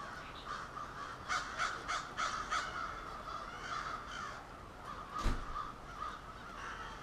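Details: Crows at a nightly roost gathering in suburban Halifax, Nova Scotia: a dense chorus of many harsh caws overlapping, a quick run of repeated caws near the start, and a sharp knock-like sound about five seconds in.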